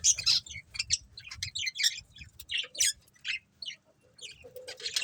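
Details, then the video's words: Budgies in a happy colony give quick, separate high chirps and scratchy squawks, several birds overlapping in uneven bursts, with a faint low hum beneath. "Cute Budgies Chirping Sounds"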